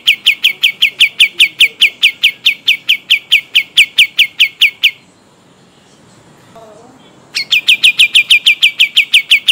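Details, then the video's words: Rolling song of a pied triller from Kalimantan: a long run of about twenty-five quick, sharp, high downslurred notes, then a quiet gap of some two seconds, then the rapid trill resumes for about fourteen more notes. "Masteran Burung Kapas Tembak Gacor Ngeroll Panjang"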